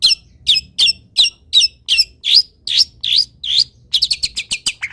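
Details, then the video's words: Long-tailed shrike singing as a training model for other birds: evenly spaced high chirps about three per second, shifting to warbled dipping notes, then ending in a fast run of short ticks. "MASTERAN CENDET ANTI GAGAL - CENDET MANAPUN IKUT BUNYI DENGAR INI"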